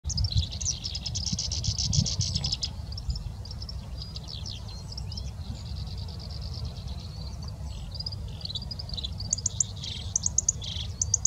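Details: Black-browed reed warbler singing in grassland in Sapporo in May 2021: a fast, varied jumble of high buzzy trills and sharp chirps, with steady low wind rumble underneath.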